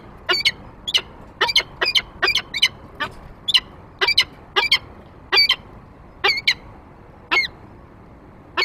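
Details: Peregrine falcon calling at the nest grate on 28 February 2023 while the male brings prey and the female follows: harsh, strained notes, clustered at first and then spacing out, with longer silences toward the end.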